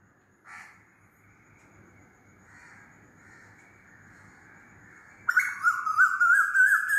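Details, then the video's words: Faint distant notes at first, then an Asian koel bursts into loud calling, a wavering whistled note that rises steadily toward the end. "LOUD KOYAL CALLING"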